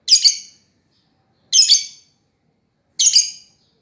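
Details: Three shrill, rasping lovebird chirps at a steady pace of about one every 1.5 seconds, with silence between them.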